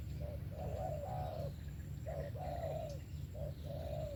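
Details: Spotted dove in 'về tàng kèm 123' song: three similar phrases, each a short coo then a long, wavering, slightly falling coo, about every one and a half seconds, with strong low background rumble.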